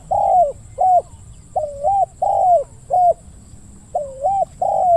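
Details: Spotted dove used for decoy hunting, calling in the deep-voiced 'ku-ang' coo style. Series of low hooting coos, some long and slurred, some short and paired, repeated irregularly, with a steady high electrical hum.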